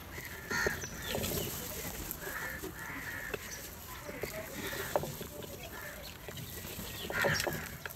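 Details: Crows fighting over food in the morning, eating cheese and butter; scattered harsh, rasping caws come in short bursts at the start, middle and near the end, over steady background noise with clicks and faint rustling.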